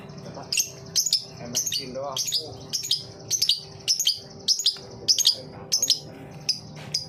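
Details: Ngetik song of a lovebird, used as a lure to get other lovebirds singing: quick, high, tapping clicks, often in pairs, repeated through the stretch with a few soft chirps and a low background hum.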